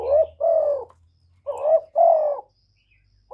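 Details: Spotted dove, called cu gáy or cu đất, calling to stimulate other doves: rapid pairs of low, hollow coos, each note slightly burry and level, with a faint low hum beneath.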